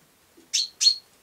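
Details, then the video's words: ['House sparrow producing a pair of bright, rasping chirps in close succession, each with a slightly drawn-out tail, in quiet surroundings.'] "Serçe Kuş Sesi"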